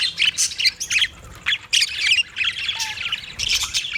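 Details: Budgies squawking in short, harsh bursts separated by brief pauses, about a dozen grating chirrups with a faint whistled note partway through.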